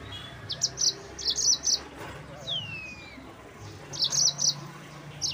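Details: Yellow-fronted canary provoking song: scattered high chirping phrases, a drawn-out descending whistle in the middle, then another burst of rapid twitters.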